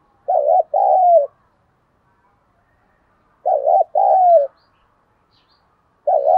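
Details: Spotted dove in the 'thúc đấu đồng pha' style, cooing to stir up wild birds: deep mellow two-note phrases, a short quavering note then a long falling one, repeated roughly every three seconds with silence between.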